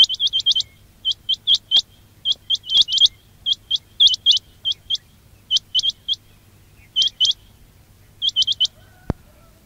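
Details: Quail calling, from a recording meant to lure birds for trapping: rapid bursts of high, upward-flicking notes in pairs and short runs across nearly ten seconds, ending with a sharp click.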